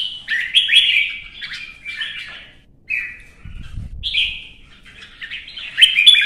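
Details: Red-whiskered bulbul singing competitively, pouring out lively warbled phrases with quick up-and-down notes, repeated in short runs with brief pauses, and a soft low thump midway.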